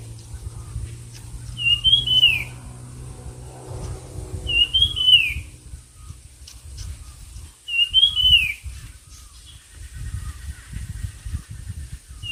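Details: Competing songbird whistling short rising-and-falling phrases about every three seconds, over a loud low rumble of background noise and a steady high hiss.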